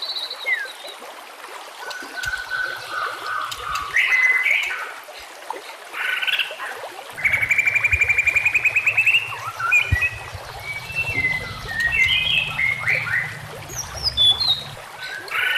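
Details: White-rumped shama training song with nature sounds and running water: varied whistled phrases and slides, a rapid rattling buzzy trill midway over a low hum, then more fast, bright, high warbling notes.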